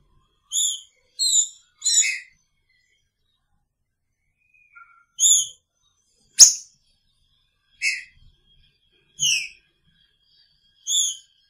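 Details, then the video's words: Green-winged saltator kept in a cage alongside its female, picharro song: three quick whistled notes, a long pause, then single ringing whistles spaced about a second and a half apart, with one sharp click. "Trinca Ferro com sua fêmea!! Picharro"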